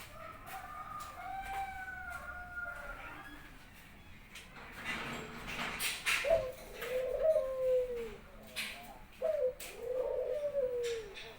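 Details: Caged Barbary dove in an Indonesian home cooing as its owner returns from work. Higher, steady whistled tones from another bird open the recording, then the dove gives two rolling, falling coos, each preceded by a short clipped note.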